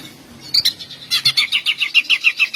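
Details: Caged greater green leafbird singing a long gacor bout meant to provoke other males and arouse mating urge; after a brief opening note, a fast series of bright, rising whistled notes repeats several times per second.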